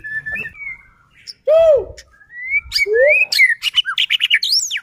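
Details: White-rumped shama song used as a lure to make other murai batu sing: drawn-out whistles, a loud low arched note, more rising whistles, then rapid harsh clicking bursts with high sweeping notes.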